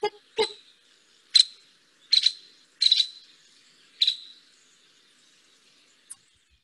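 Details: Nuttall's Woodpecker, found only in California, compared with whinnying calls of related woodpeckers: a handful of sharp, high, clicky notes, single or doubled, spaced irregularly about a second apart against silence.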